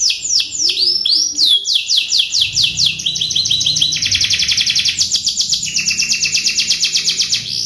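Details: Canary singing, used as master song for training other canaries: rapid descending whistled slurs about four per second, then long stepped rolling trills at high and middle pitch with faint background rumble.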